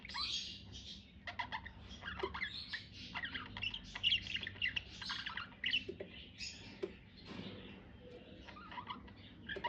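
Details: Pet budgerigars sing during a courtship approach, a soft, continuous run of chattering, scratchy warbles and squeaky chirps, with some louder clicks, recorded at a distance.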